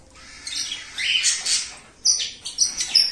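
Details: Indian ringneck parakeets, a new breeding pair of a turquoise-blue male and an albino female, producing a run of harsh raspy squawks and then quick high chattering notes.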